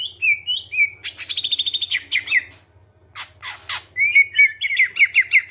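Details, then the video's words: Greater green leafbird, clear-voiced song meant to bring other birds into song: falling whistles, a rapid buzzy trill, harsh scratchy bursts, then a lively run of bright whistled phrases, low hum throughout. "Cucak ijo suara jernih, pancingan biar cepat gacor"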